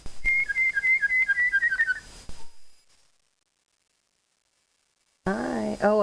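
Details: A pet female Double yellow-headed amazon whistles a mimicked tune, the Jayhawk fight song, in quick clear notes stepping between two pitches.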